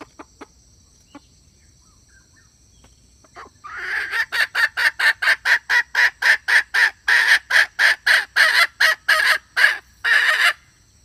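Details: Hen calling, described as good for trapping: near silence, then a long fast run of harsh, evenly spaced clucking notes, roughly four per second, continuing for about seven seconds.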